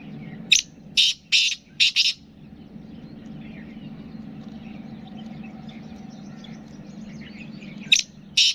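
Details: Black francolin, a kala teetar from the Sindh and Punjab region, kept as a cage bird: a few short harsh rasping notes in quick succession, then a pause over steady low hum, then two more harsh notes at the end.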